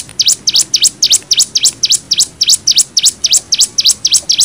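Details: Cigun in nembak style used as masteran for training young birds: high, sharp V-shaped chirps repeated steadily about three times a second, with faint background hiss.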